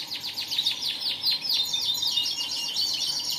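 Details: Canary singing fast, loud, high notes that sweep downward in quick succession and blend into a continuous buzzy trill.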